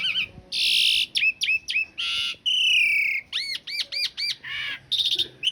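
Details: Asian pied starling master recording for cage-bird training, coarse-filled long-roll style: loud harsh rasping bursts alternate with sharp whistled notes and a run of four quick arched chirps, varied and rapid.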